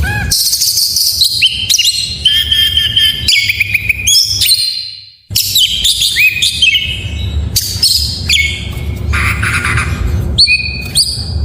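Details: Full, richly varied white-rumped shama song, played so that reluctant caged shamas start singing: quick whistled phrases, rising and falling slurs, harsh buzzy bursts and rattles, broken by one short silence, over a faint low hum.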